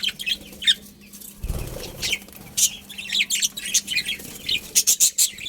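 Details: Chirping budgerigar colony, with a low thump or wing flutter early on, followed by quickening runs of bright, buzzy chirps that build toward the end.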